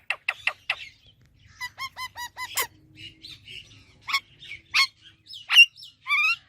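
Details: Parrot vocalising in a talking parrot natural sounds compilation: quick sharp chips, a run of short repeated whistled notes, scattered chatter, then loud harsh squawks and a rising whistle.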